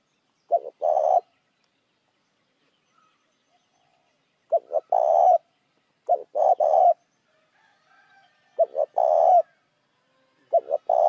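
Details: A spotted dove's coo used to lure other doves, five phrases spread unevenly over eleven seconds, each a brief double note followed by a longer, grainy coo, with silence between.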